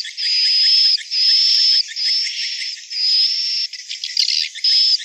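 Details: Swiftlet calls connected with a swiftlet nesting building: a series of five long, high, buzzy notes separated by short breaks, with a brief clicking chatter near the end.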